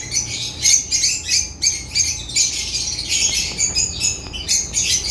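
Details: Chattering African lovebirds give shrill, squawky chirps in clustered bursts about every half second, several birds overlapping in a steady busy twitter.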